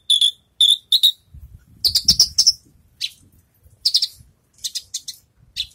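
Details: Javan bush lark just finished moulting, in song training: three sharp, high chirps, then a rapid run of varied buzzy, twittering phrases in short bursts, with faint low thumps in the background.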